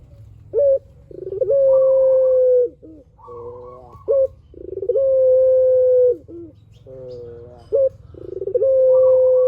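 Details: Spotted dove, a lure recording of a vigorous singer: short rising coo followed by a long flat hooting note, then a stuttering burred phrase, cycled about three times over a low background hum.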